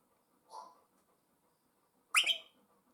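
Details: A pet African grey parrot, one of two kept in a house, gives a soft breathy note, then a loud, sharp, scratchy squawk with a squeaky whistled edge about one and a half seconds later.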